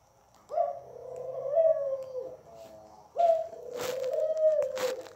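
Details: Two long, rolling coos from a Barbary dove kept at home, low and purring, with light tapping and clicking sounds during the second phrase.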